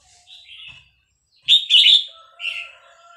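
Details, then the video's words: {'text': 'Caged Vietnamese red-whiskered bulbul reacting to a chick recording: a soft warble, then a loud, fast, bright phrase followed by a shorter trailing note, with a faint steady tone beneath.'} "นกกรงหัวจุกเวียดนาม ต่อดอกเร็ว เปิดยั้วลูกนกฟักแล้วคึกร้องตาม"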